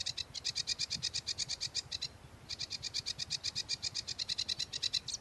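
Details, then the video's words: A sedge warbler sings a varied, fast, scratchy chatter of high rasping notes, about eight per second, in two long bursts with a brief pause between. "kicau tembakan variasi sedge warbler"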